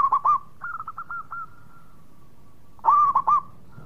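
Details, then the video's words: Zebra dove, local bird, gives a tight cluster of accented coos, a trailing series of lighter notes, a quiet stretch, then another strong cluster of mellow coos. "Perkutut Lokal Gacor Suara Mewah"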